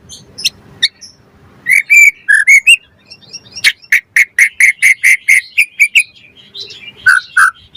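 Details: White-rumped shama song for provoking other birds to sing: scattered chirps, then a fast even run of about fifteen short sharp notes, closing with two lower whistled slurs.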